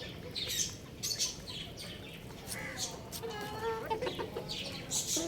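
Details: Little chicks chirping at home, thin high cheeps and short tonal peeps overlapping quickly, some with clear harmonic notes, over a steady background hiss with faint voices.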